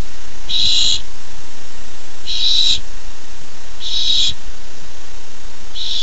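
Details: Barn owl owlet on a nest camera, 13 July 2015, excited as the first food treat arrives: harsh, hissing screeches about half a second long, repeated roughly every one and a half to two seconds, four bursts over steady low background hum.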